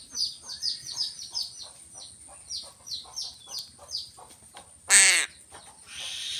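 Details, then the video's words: One brief, harsh caw from a crow being fed fish stands out near the end, while a steady series of high, rhythmic chirps from smaller birds fills the rest. "BURUNG GAGAK"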